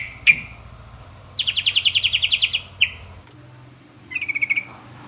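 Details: Sooty-headed bulbul song used to make other bulbuls answer: one sharp note, then an even trill of about twelve descending chirps ending in a slurred note, then a shorter trill after a pause, over a low hum.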